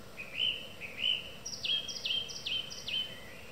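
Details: Song thrush singing in the evening: clear whistled phrases, each repeated two or three times, first a lower rising note pair, then a sharper, higher descending phrase repeated three times, over a steady low background hum.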